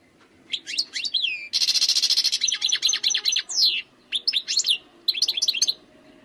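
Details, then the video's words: Wild European goldfinch singing: a lively, fast twitter of high sweeping slurred notes, broken by a dense buzzy rattle early on, then bursts of quick rising and falling chirps separated by short pauses, over a quiet background. "chant chardonneret sauvage khalwi حسون goldfinch jilguero تغريد مقنين خلوي"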